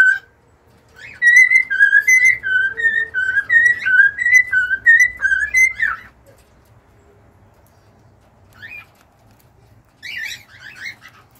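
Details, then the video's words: Whistling cockatiels deliver a rapid run of short up-and-down whistled notes for about five seconds, then go quiet apart from a few soft chirps. "an hour of cockatiels singing!"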